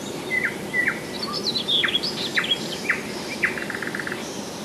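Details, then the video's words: July 2011 nightingale song from Rassudovo, some 40 km outside Moscow: loud sharp down-slurred notes repeated in sequence, high whistles between them, ending in a fast clicking run of even pulses. "Соловьиная песня / Nightingale song"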